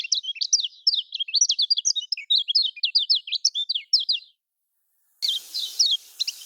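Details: Lemon-bellied white-eye in Lombok style, a lure to make lazy caged birds sing: four seconds of rapid, crisp high twittering, a short silence, then more chirps over louder hiss.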